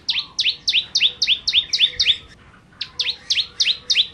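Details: Sharp repeated chirps from a bar-winged prinia in 'nembak' style song, each note sweeping high to lower, delivered quickly and evenly, with a short break before a final run.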